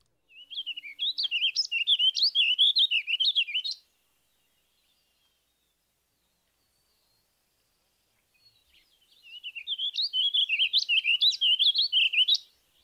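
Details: Warbling vireo song, less lively than a purple finch's, at an evenly measured tempo: two long rambling phrases of high, rapid warbled notes, each about three and a half seconds, separated by a five-second pause.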